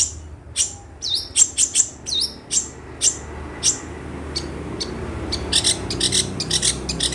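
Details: Long-tailed shrike from Situbondo giving spaced, piercing whistled notes, several with a quick dip and rise, then a run of quieter clipped chirps against steady low background noise.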